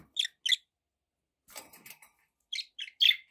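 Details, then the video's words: Pet budgies giving short, sharp chirps in pairs, with a soft rustling scratchy patch in between and a final trio of quick chirps, in a quiet room. "budgie sounds with background noise for relaxation"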